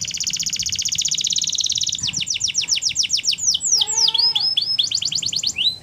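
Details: Canary in the wild delivering a long, rapid, even trill, then quick rising notes, a brief lower warbled twitter and more fast trills, loud, varied and high-pitched throughout.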